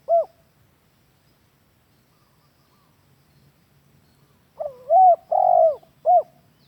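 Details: Spotted dove lure call, used as a master recording to train captive doves: one short low coo, a pause of several seconds, then a quick phrase of three hoarse, wavering coos and a final short coo against a quiet background.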